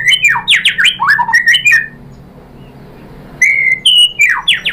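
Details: White-rumped shama lure song to get other shamas singing: a busy burst of sharp, sweeping whistles, a pause of over a second, then another burst of clear descending and rising notes.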